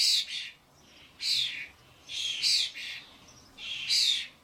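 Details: Common starlings, adults with their fledglings at a garden bird feeder with suet blocks: harsh, buzzy, rasping bursts, each under half a second, in three clusters with short gaps between.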